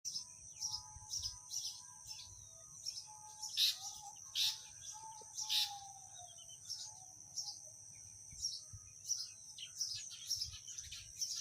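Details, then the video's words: A house sparrow gives a steady run of short, bright chirps, one or two a second, over a faint high steady hiss. "Sparrow Bird Sound"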